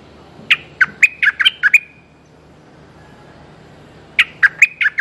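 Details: A male streak-eared bulbul calling for a mate gives two quick bursts of about six sharp, bright chipping notes each, the second following a two-second pause.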